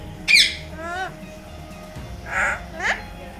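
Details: Pet talking parrot indoors, said to say 'Mummy Mithu ko Roti Do': a loud harsh squawk, then harmonic speech-like syllables rising and falling, with background music throughout.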